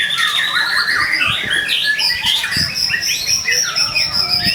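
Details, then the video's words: A White-rumped shama, of the Medan type and rich in inserted phrases, sings to trigger song in other shamas. It gives a continuous run of clear high whistles, with chattering notes and a sustained, thin, piping tone underneath. "TERAPI PANCINGAN MURAI BATU GACOR AMPUH BUAT PANCINGAN MURAI CE;PAT BUNYI"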